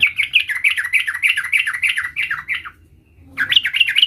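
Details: Sooty-headed bulbul youngster learning to roll its song: a long, steady run of rolling, bubbly notes in quick succession for nearly three seconds, a short gap, then the rolling resumes.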